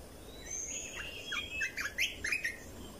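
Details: Red-whiskered bulbul, played to teach young birds and stir up caged birds: a run of rising and falling whistled phrases in the second half, over a noisy background hiss.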